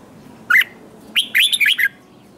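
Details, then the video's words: Red-whiskered bulbul in competition singing to spur young wild-caught birds: a single short slurred whistle, then a quick run of bright, rolling chirped notes. "Kích chào mào hót đấu hay nhất,bổi nghe là hót theo"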